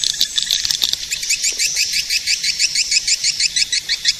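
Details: Edible-nest swiftlet lure call used to attract swiftlets: rapid high chirps repeated about three times a second, steady and evenly paced, forming a twittering series throughout.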